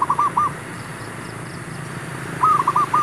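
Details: Zebra dove call used to lure wild birds during trapping: two quick bursts of three or four soft, hollow coos at an even mid pitch, separated by a pause of about two seconds, over faint background hiss.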